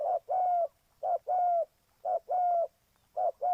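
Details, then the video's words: Spotted dove calling as a trapping lure: low, mellow cooing phrases, each a short note then a longer, level coo. Four phrases repeat about once a second on a quiet background. "Cu gáy Ninh Thuận,นกเขาใหญ่สายต่อดิน"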